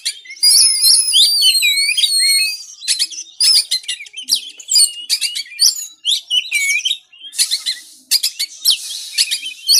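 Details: White-rumped shama song played to coax a lazy caged bird into singing: opens with sustained, wavering whistles, then breaks into rapid chattering, clicking and harsh buzzy bursts repeated in quick succession.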